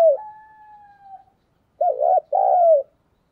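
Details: Lure spotted dove with a thổ-style voice: a fading steady whistle at the start, then a clear double coo with a quavering first note and a long falling second note.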